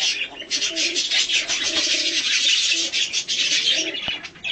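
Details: Budgerigar, hand-tame colour mutation, heard while being fed and handled in a play and cuddle session; continuous bright rasping warble after a short opening pause, with a single sharp click near the end.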